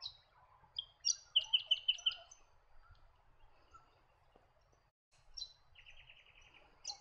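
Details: White-eared Monarch: high chirps lead into a quick run of five loud, buzzy pulsed notes. After a quiet stretch comes a drawn-out rasping trill and a final sharp chip.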